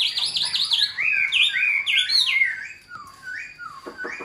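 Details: Tame caged Chinese hwamei singing rapid high zigzag trills followed by descending slurred whistles and a few lower sustained notes, in a quiet indoor setting.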